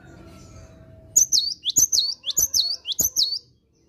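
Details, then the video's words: Lively morning singing from a cinereous tit: after a second of low background hum, seven or eight high, springy whistled phrases follow one another at a steady, rapid pace. "Kicauan Gelatik Batu Gacor Dipagi Hari"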